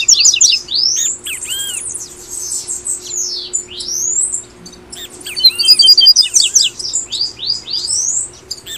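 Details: Double-collared seedeater from Brazil giving tui tui song, played as an incentive for caged birds: long slurred whistles rising and falling, then lively chattering trills and quick downward notes, over a continuous low drone.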